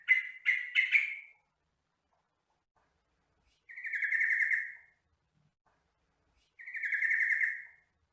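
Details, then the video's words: Sooty-headed bulbul, a bird of gardens and rice fields, recorded for training captive birds: three quick harsh bursts, then two longer buzzy, chattering phrases about three seconds apart, with silence between and no other sounds. "MASTERAN BURUNG TRUCUKAN (Jogjog)"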